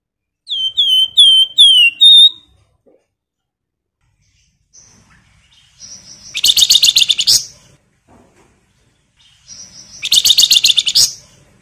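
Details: Flamboyan bird, singing in full voice and excited, gives a quick run of four slurred down-curving whistles, then two loud bursts of dense, buzzy, rattling chatter about four seconds apart.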